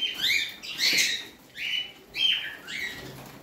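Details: Short upslurred squeaks from a pet parrot, four or five high chirps spaced roughly half a second apart, each sliding upward then fading, with faint background rustle.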